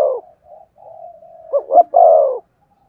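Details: Spotted dove stimulation coo: soft sustained murmuring coos leading into two quick rising hoots and a long falling coo, low and mellow throughout.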